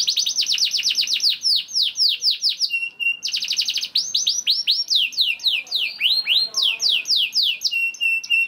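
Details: ['Vigorous young canary song used to make other canaries sing: rapid trains of high falling chirps, brief pauses, short level whistles and renewed fast chirp runs.']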